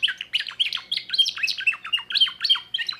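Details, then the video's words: Song of a young 2024 timbrado canary with a new repertoire, heard as quick separate chirps and downward-swept whistled notes, about three or four per second, sharp and clear against a quiet background. "le meilleur chant de canari I chant canari timbrado un jeune de2024"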